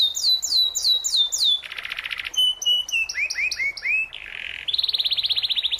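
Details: Canary singing as a tutor for young birds during moult: looping downslurred whistles, a buzzy tour, a run of curved slurs, a harsh buzz and a fast final trill.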